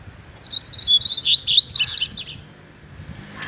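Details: A double-collared seedeater living free in a neighbourhood sings a busy, twittering phrase of high chirps, trills and rising whistles lasting about two seconds, over light low rumble.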